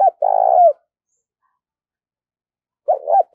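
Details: Decoy spotted dove cooing to call in new wild doves: one low, purring two-part coo, a short note then a longer vibrating one, with a second phrase beginning at the end; otherwise quiet.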